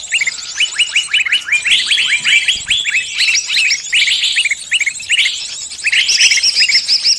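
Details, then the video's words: Lure recording for catching birds: overlapping sharp, upward-flicking chirps in quick series, with occasional louder bursts of massed twittering and a high background hiss of calls. "Pikat burung semua jenis terampuhhh"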